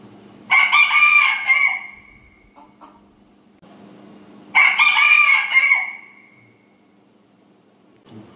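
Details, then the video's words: Two loud rooster crows in the morning, each a harsh, strained cock-a-doodle-doo of about a second and a half, ending in a drawn-out falling tail, spaced roughly four seconds apart over quiet background. "rooster Calling in the morning"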